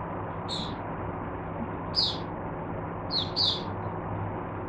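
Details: Caged oriental white-eye used to tutor other white-eyes, 22 January 2022: four brief high squeaky notes spaced irregularly over about five seconds, with a constant low hum behind.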